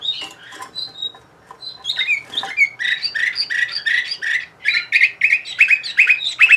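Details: Sofia-bred Bulgarian canary song opening with scattered chirps, then building into fast repeated trills and loud, bright rising notes delivered about two or three per second toward the end.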